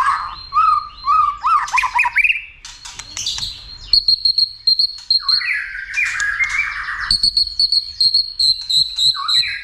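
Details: White-rumped shama stimulated to sing many voices and fight, tail flicking; stuttering low whistles and chips, then sustained high piping notes alternating with rich mid-pitched warbles.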